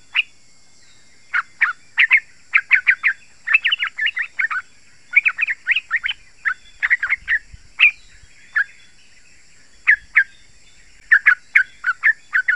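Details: Yellow-vented bulbul in long, lively chattering song, with irregular clusters of sharp, slightly varied notes and short gaps between them. It is played to draw in wild birds and to get pet bulbuls singing.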